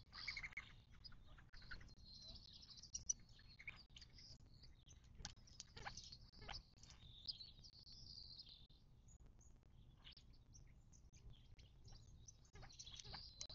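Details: Desert birds at a Mojave Desert watering hole in southern California, near Joshua Tree National Park, 19 March 2024. Light high chirps and brief tweets recur irregularly, with a quieter gap midway, over faint low background noise.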